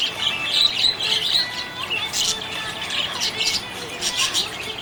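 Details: Budgerigar chirping happily, an unbroken run of quick twittering squeaks and chirrups, a little louder at the start, with faint tonal hum underneath.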